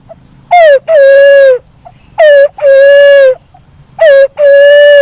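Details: Black-naped fruit dove, locally punai walik haji or walik kembang, giving loud paired hoots: a short note with a quick falling end, then a longer steady hoot. The pair repeats about every two seconds against a faint low hum.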